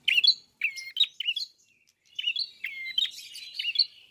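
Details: Red-fronted prinia in vigorous song, beak wide open: sharp high chirps in quick succession, short pauses, then a rambling run of squeaky notes and thin downslurred whistles.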